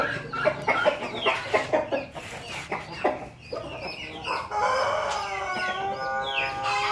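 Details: Young crossbred chicken mixing Pelung, Bangkok and Ketawa lines, with a red comb, in Jogja. Several seconds of clucking and short calls lead into a long, drawn-out, harmonic-rich crow that holds a steady pitch.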